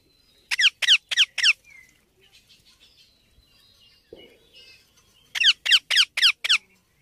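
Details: Baby Indian ringneck parakeet in two bursts of four and six grating, downward-sweeping squawks separated by a pause with soft chatter and a brief thump.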